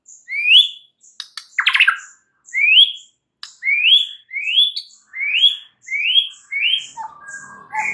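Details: White-rumped shama in morning song, played so a stalled bird starts replying: rising whistled notes repeated roughly every half second, mixed with a few harsh rasping bursts and faint high chips.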